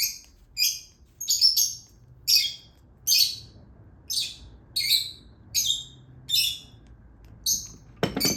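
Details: Baby lutino Fischer's lovebird during hand-feeding, giving harsh, raspy chirps repeated roughly every three-quarters of a second in an indoor setting, ending with a sharp click.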